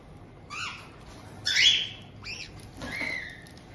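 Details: On 18 June 2023 in Tokachi, Hokkaido, a captive resident pair of white-bellied caiques welcome a newly arrived two-month-old youngster. Four rough squawks follow one another, the loudest a harsh burst in the middle, with slight rustling in between.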